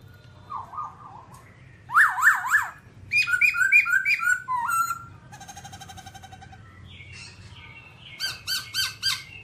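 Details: Babbler song full of variety: low zigzag notes, loud rapid chirping runs, a soft rattling trill, then quick repeated high chirps, all over a faint constant hum.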